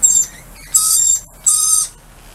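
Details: Lorikeets saying hi outdoors, producing three short, piercing screeches in a little over two seconds.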